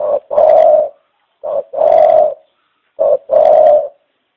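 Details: Three evenly spaced dove coo phrases, about one and a half seconds apart, each a clipped low note then a drawn-out steady coo with a hollow tone.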